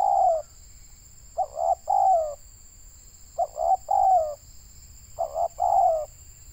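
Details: Local tekukur, the spotted dove, used in Indonesia to lure wild doves, calls in low hollow coos: two quick notes and a drawn-out descending one, repeated three times, a faint steady high hum underneath.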